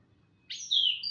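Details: Orange-headed thrush heard in the morning giving a single brief, bright whistled phrase that slides downward, ending with a short high note.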